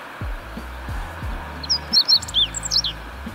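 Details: A Meadow Bunting sings a quick run of high, thin chirps and twittering notes during a birdwatching walk in Kita-Harima, Hyogo, Japan, over a steady low rumble from wind or traffic; faint repeated "hi-hi-hi" notes of a Zitting Cisticola may sound behind it.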